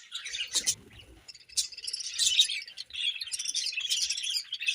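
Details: Pet budgies chirping while fed in the morning, a steady stream of high, twittering, scratchy notes with a brief low rustle early on.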